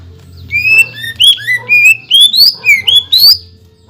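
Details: Greater green leafbird's lively song of imitated material, meant to provoke other leafbirds: about eight bright whistled phrases, each a quick upward or downward slur, following one another rapidly.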